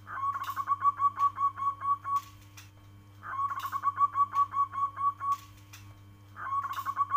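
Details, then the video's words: Local zebra dove calling: a soft, mellow cooing phrase of quick, even, slightly bubbling notes that falls away at the end, heard three times roughly every three seconds over a steady low electrical hum. "Suara panggilan perkutut lokal alam kristal"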